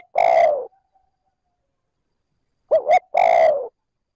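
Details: Decoy spotted dove in trơn ròng calling to lure wild doves: a long soft falling coo, a quiet gap, then two fast hoots and another drawn-out coo.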